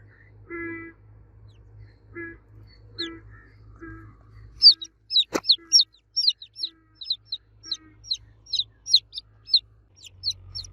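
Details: Baby chicks calling for the mother hen: low, harmonic clucking notes at first, a sharp knock, then a rush of rapid high cheeping peeps, some overlapping.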